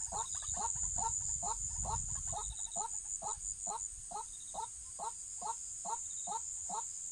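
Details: Waterhen in a trapping recording, giving a long run of short, even, hollow notes roughly twice a second. A loud high insect hum continues throughout, with a brief low rumble near the start.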